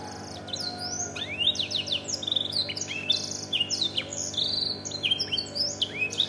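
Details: Tutored domestic canary singing black-throated canary style: rapid, continuous high twittering made of steep down-slurred whistles and sharp chips, dense and varied throughout, with a faint steady hum behind.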